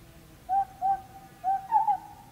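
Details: Grey Butcherbird in the Australian bush giving four clear fluty whistled notes, the first three evenly pitched and spaced, the last slightly higher and wavering, over a quiet background.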